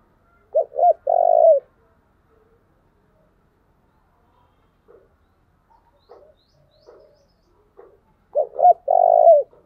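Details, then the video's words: Spotted dove cooing, used as a lure song to attract wild doves: two short rising-falling coos followed by a long, drawn-out coo ending in a downward slur, with the phrase repeated after a pause and faint soft sounds between. "tiếng kêu của chim cu gáy âm thanh rất chuẩn để kích bổi"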